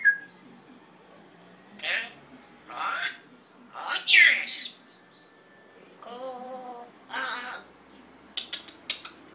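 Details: Red-tailed African grey parrot making a series of hoarse, raspy squawks and grating screeches, with one nasal, harmonic-rich call in the middle and a short run of clicking sounds at the end.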